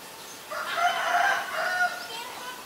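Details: Asian barred owlet giving one loud, harsh, raspy call of about one and a half seconds. It is a rich, noisy burst with layered harmonics, rising slightly and then easing off, against a quiet background.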